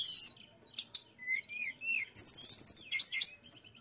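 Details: Mountain tailorbird in vigorous song, used to stir rival birds into singing: very high thin whistles and sharp bursts open the phrase, then slurred mid-pitched whistles, then a fast string of high ticking notes.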